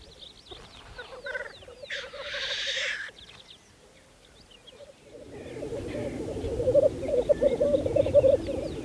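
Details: Spring lek of black grouse on Saaremaa, 2014: a bubbling roll runs beneath a sharp, hissing sneeze-like burst about a second long, then denser overlapping bubbling from several males builds toward the end.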